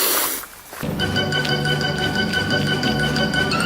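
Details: Sustained organ-like music chords fill the recording after a brief burst of broadband noise, with no animal sounds.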